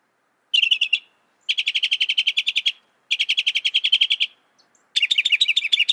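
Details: Mockingbird, known for loud, fast song mimicking other birds and animals, delivers bursts of rapidly repeated high chirps in trilled phrases of one to one and a half seconds, separated by brief pauses, the last phrase harsher and warbling.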